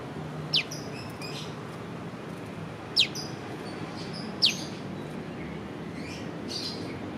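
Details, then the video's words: Prenjak lumut prinia giving its piw piw piw call, filmed with a Leica V-Lux camera: three loud, sharp, downslurred piw notes spaced about two seconds apart, with faint chirps from other birds and a steady low background hum. "Burung prenjak lumut piw piw piw"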